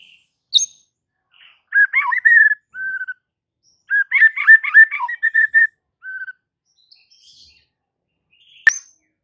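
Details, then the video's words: White-rumped shama song used to provoke other shamas into singing: two bursts of quick warbled, slurred notes separated by pauses, each followed by a short steady whistle, with a sharp click near the end. "Murai batu ini SONTAK bikin murai lain TETAP GACOR dan NGEPLONG hanya dengan Sekali Pancingan Saja"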